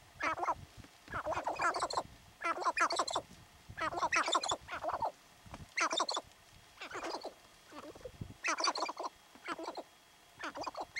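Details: Territorial sharp-tailed grouse in the North Unit of Theodore Roosevelt National Park, 2017, giving loud cackling bursts roughly every second, each a dense run of harsh clucking notes, with brief quiet gaps between.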